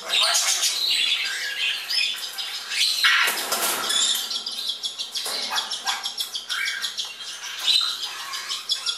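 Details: Fledgling Congo and Timneh African grey parrots flying at a bird shop north of Dallas, Texas, keep up constant high chatter of squeaks and whistles, broken by loud harsh squawks and bursts of flapping wings.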